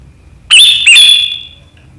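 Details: Sooty-headed bulbul (kutilang) in sharp gacor riwikan chatter, said to provoke rivals into singing, 7 April 2023: two quick shrill whistled notes followed by a long, fading high ringing tone.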